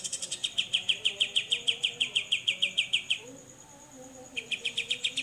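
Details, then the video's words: Grey-cheeked bulbul singing besetan for training songbirds: a long, regular rattle of bright, buzzy notes about four per second lasting three seconds, a brief silence, then the rattle starting again, over a thin high hum. "BESETAN CUCAK JENGGOT"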